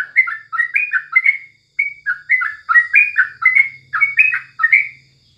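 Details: Sooty-headed bulbul singing in the morning as a tutor recording: clusters of fast, warbling chirps, a single clear whistle after a short pause, then more bubbling phrases, with a faint low hum.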